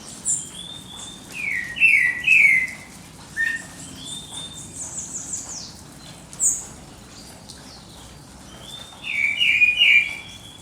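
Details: Several birds singing at dawn: scattered whistled phrases and warbled notes, with a thin high descending call and a louder burst of warbling near the end.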